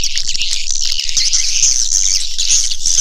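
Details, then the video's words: Swiftlet call used to lure birds to a nesting house: an unbroken, shrill chattering of high buzzy chirps, densely layered and steady, with faint ticking beneath. "Suara Panggil Walet"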